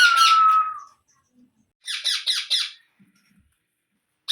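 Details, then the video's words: Baby parrot calling: a loud, clear whistle sliding gently downward for about a second, then after a pause three quick, harsh, buzzy squawks in a row, followed by quiet. "Baby Parrot Sounds"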